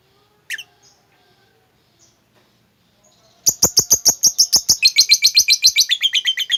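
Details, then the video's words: Lovebird in a recording played to coax a quiet, sluggish bird into singing; after a brief chirp and near silence, a fast run of sharp, evenly repeated chattering notes starts at about 3.5 seconds and rises into a shrill rolling trill. "lovebirdmu loyo malas bunyi jadi gacor ngekek panjang seketika dengan pancingan ini."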